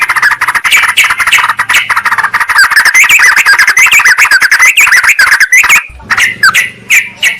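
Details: Noisy sooty-headed bulbul chatter used as a lure to call wild rivals. A long unbroken stream of rapid, rough, bubbling notes is followed by a pause and a few separate clear whistled phrases.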